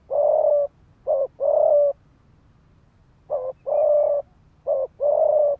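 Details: Fast-cooing spotted dove decoy used to goad males into fighting: several long, steady, hoarse coos, each led by a single short clipped note, with a pause in mid-sequence.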